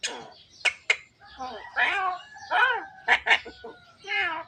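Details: Javan myna, a caged bird said to talk until coughing, producing varied harsh, raspy and squeaky phrases, clicks and short speech-like babbling sounds, mixed with brief whistled tones.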